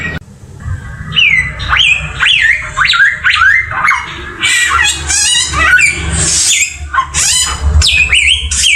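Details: Samyong bird whistling loud slurred notes that climb and fall, turning into harsh, buzzy chatter, with low rumbling noise in the background.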